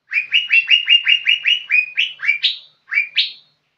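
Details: Young green leafbird delivering a fast chain of clear whistled slurs, steady at first, then rising into several higher notes with a brief pause before the last two.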